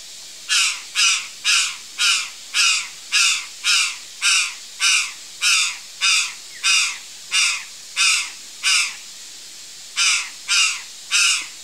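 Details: Repeated grating caws from a curl-crested jay, around twenty harsh, buzzy notes delivered in a steady series roughly every half second, with a brief pause before the last few; background otherwise quiet.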